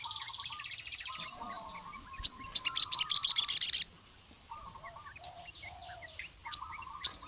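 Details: Ruby-cheeked sunbird (sogon) answering rival males: a soft high buzz, then a burst of fast, sharp, very high notes lasting about one and a half seconds, followed by scattered chips over low warbling.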